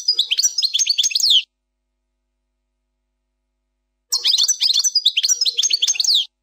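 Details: European goldfinch performing 'plak mine' style song, error-free: two tinkling phrases of rapid, high twittering and falling chips, about one and two seconds long, with a gap of silence between.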